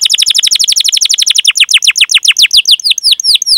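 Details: Canary 'cuit cuit' song for luring other canaries into song: a fast rattling series of sharp high notes that gradually slows and lengthens into separate descending slurred chirps.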